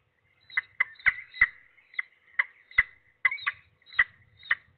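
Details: Young peregrine falcon in Trzebież Forest District calling as an adult twice delivers food. About ten short, harsh, mid-pitched calls with rich overtones come in quick, uneven succession roughly every half second, mixed with sharp clicks and knocks.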